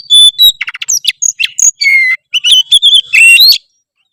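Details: Vigorous gacor singing from an oriental magpie-robin: a dense, unbroken run of sharp whistles, chattering notes and short buzzy trills, ending in a high rising whistled flourish.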